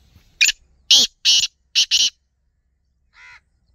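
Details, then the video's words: Black francolin calling with a loud, harsh rhythmic series of five grating notes, two closely paired at the end, then a pause and a quieter nasal harmonic note. "kala Teetar ki awaz - Black francolin - teetar voice"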